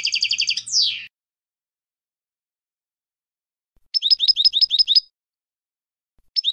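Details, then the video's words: European goldfinch song in a clean recording: a fast, buzzy trill of repeated high notes ending in a downward slurred sweep, then nearly three seconds of silence, a quick run of about eight sharp repeated chirps, and another phrase starting. "Clean Song of the GOLDFINCH | Chant chardonneret"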